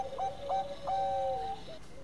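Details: Brief zebra dove phrase: three quick rising pips, then a sustained level coo that dips at its end, over a second softer dove voice.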